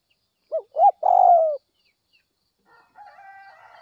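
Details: Early-morning spotted dove giving a fiery call to provoke wild birds: one low phrase of two short arched coos and a long, drawn-out falling croo, then a faint, steady harmonic call from farther away.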